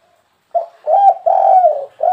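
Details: Spotted dove giving a 'kuk 3' style call, described as very fiery and used to draw wild birds in: after a brief faint note, a run of mellow, fairly low coos, the longest one drawn out and slightly falling.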